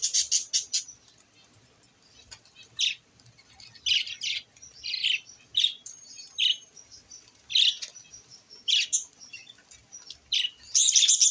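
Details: Budgerigars chirping in bright, scratchy bursts of short high notes repeated every second or so, while playing and bathing in water in summer heat, in the morning.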